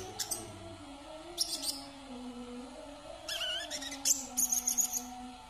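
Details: [['Kalimantan brown-throated sunbird delivering scattered high squeaks, then a faster twittering phrase ending in a run of thin, tinkling notes, over a constant low hum.']]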